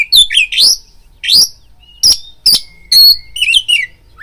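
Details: Provoking lure song of the oriental magpie-robin (kacer), used to make another bird eager to fight: loud upswept whistles and harsh chacks spaced about half a second apart, with thin sustained whistles between.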